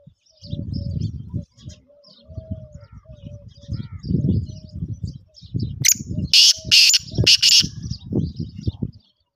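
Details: Black francolin calling with a series of harsh, rasping bursts late in the sequence, heard over steady low rumbling and murmuring background noise that fills most of the recording.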